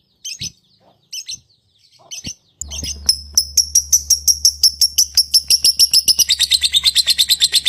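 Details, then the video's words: A few isolated shrill lovebird chirps, then a rapid, rattling series of high, scratchy notes that speeds up and grows denser, over a low steady hum. "Suara Burung Lovebird"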